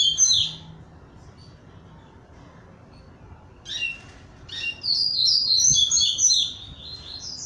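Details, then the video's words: Double-collared seedeater in captivity emerging from moult: a few loud sharp chirps, a quiet gap, then scattered notes leading into a rapid high twittering song phrase near the end. "Coleiro Barra Mansa saindo de MUDA"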